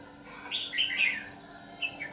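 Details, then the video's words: A white-cheeked red-whiskered bulbul serving as a decoy to draw in wild bulbuls gives one rich warbled phrase of three or four slurred whistles, then a brief quieter note, over a low background hum. "Bẫy chào mào Siêu phẩm má trắng ché phần 2 đã nhập đội"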